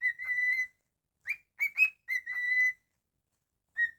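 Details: Domestic cockatiel whistling: a long level note, then a silence, then a cluster of quick rising chirps leading into another held whistle, and one short final note. The surroundings are otherwise quiet.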